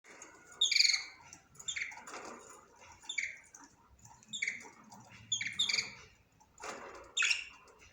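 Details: Budgerigar singing: a run of short, bright chirps and harsh squawky notes, bursts coming roughly every second with brief pauses between, high-pitched and scratchy, no other sounds noticeable.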